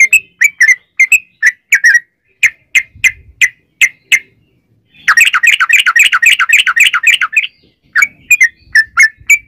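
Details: Yellow-vented bulbul in long 'ropel' song, used as a lure to make other bulbuls sing: separate bubbly two-part notes, then a fast continuous rattling run of notes lasting about two seconds, then more spaced notes.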